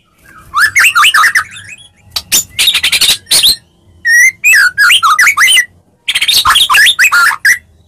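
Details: Medan white-rumped shama in full fighting song used as a lure to provoke replies: loud, rapid bursts of varied whistled and slurred notes in three dense phrases separated by short pauses.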